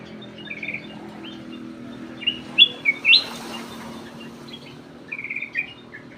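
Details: Black-crested bulbul (cucak emas, kutilang emas) song played as a lure: short clear whistled phrases, some slurred upward, in loose bursts separated by pauses, over a steady low hum.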